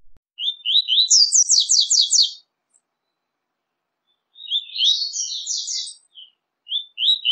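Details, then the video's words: Double-collared seedeater singing, part of a five-song mix meant to stimulate kept birds. A few high slurred notes lead into a rapid, rattling trill of very high repeated notes, then a second similar burst after a short pause. "CANTO;ESQUENTE SEU PAPA CAPIM COM UM MIX DE 05 ÁUDIOS CANTOS DIFERENTES"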